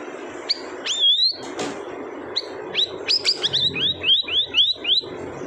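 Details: Siri-siri bird giving a rising whistled note, then a lively run of curved, upward-sweeping chirps repeated rapidly in the second half, with low background murmur.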